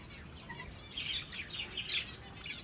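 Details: Lovebird giving a short run of quiet, high-pitched twittering chirps, thin and rapid, rising in intensity toward the middle of the brief recording, with low background noise throughout.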